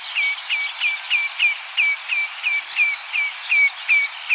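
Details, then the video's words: A Common Redshank (Tringa totanus) gives a rapid series of about a dozen clear, downslurred whistled notes, roughly three per second, over a faint background hiss. "Common Redshank (Tringa totanus) Perna-vermelha"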